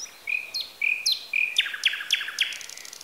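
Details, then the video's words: Outdoor birdsong from Bessarabia, Ukraine, Zoom H4n recording: three clear whistled notes, each followed by a sharp upward flick, then a run of crisp evenly spaced notes at about four per second. "Sounds of nature. Birds. Звуки природы.Птицы"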